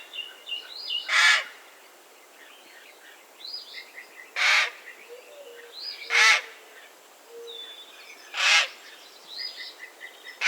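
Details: Raven giving four harsh, hoarse caws spaced a few seconds apart, each short and broad-toned, while small birds chirp and whistle softly in the background.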